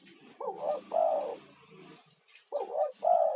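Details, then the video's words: Spotted dove male, a lure bird in full voice calling other doves, used to calm stressed caged doves; two mellow phrases, each a short coo followed by a longer, drawn-out rolling coo, with a faint low hum beneath. "SUARA TEKUKUR GACOR UNTUK TERAPI"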